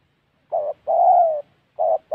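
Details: Spotted dove calling during bird trapping in the wild mountain forests of Gia Lai, Central Highlands, Vietnam: a short low coo followed by a longer, drawn-out falling coo, then another short coo beginning again; quiet background.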